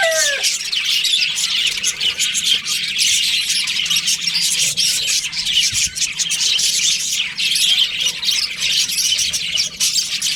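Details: Budgerigar colony in breeding season, a steady dense wash of high, rapid chirps and twittering chatter from many birds throughout, with a brief descending harmonic call right at the start.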